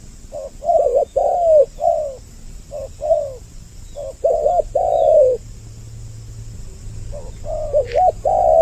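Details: Two-voiced spotted dove lure recording for attracting males and females: low, soft cooing phrases of two to three notes, grouped and broken by short pauses, then a long silent gap before the cooing starts again.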